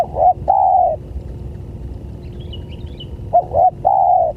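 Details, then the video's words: Lure sound of a spotted dove for attracting other doves: short hooked coos leading into a long even coo, a pause, then the same pattern again, with faint distant chirping and low background hum. "Suara Pancingan Tekukur"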